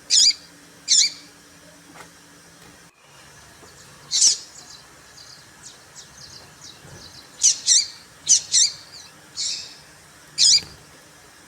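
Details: Female papa-capim seedeater calling to provoke males: piercing high chirps at uneven intervals, some in quick clusters, with softer ticking notes between them and a low background hum.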